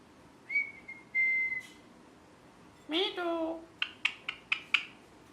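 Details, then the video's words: Pet rose-ringed parakeet gives a steady, clear whistled note, then a rough speech-like utterance sliding downward, ending in a run of five quick, sharp chirps. "Parrot Chirping Sounds | Natural Parrot Sounds"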